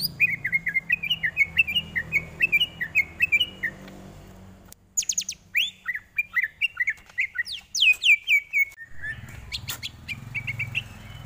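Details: Greater green leafbird song used as tutor material: a long, varied stream of chattering, warbled phrases with quick twittering runs, sharp upslurred whistles and clicking notes, briefly broken by a pause midway.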